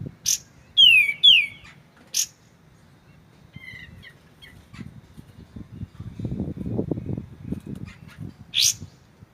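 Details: White-shouldered triller singing clearly: a sharp high note, a pair of bright down-slurred whistles, another abrupt high chip, then soft low-pitched notes, with a broad low murmur swelling in the background before a final high burst.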